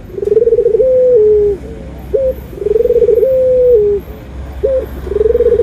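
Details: Barbary dove (puter) anggungan, part of a white and brown dove comparison: throbbing, pulsed coos gliding into sustained flat notes that sink at the end, separated by quick hooked notes, three cycles in close succession; quiet low hum.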